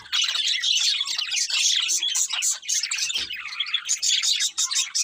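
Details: Several budgerigars, happy while eating, pour out a steady rapid warble of high chirps and scratchy notes with barely a break, plus a brief low thump near the middle.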